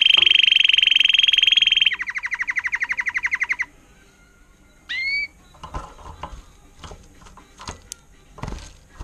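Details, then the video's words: Tutored Timbrado canary of agate topaz intensive yellow colouring, recorded in 2018, sings a bright, steady trill followed by a faster, lower, pulsed roll lasting nearly four seconds. A brief rising whistle and soft room clatter follow. "Gelehrter Vogel mit Timbrado-Gesang"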